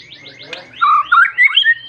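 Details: White-rumped shama singing insistently to call a rival and spur other shamas to sing: a brief run of loud, pure whistled notes, slurred and swooping, following faint fast rising chirps.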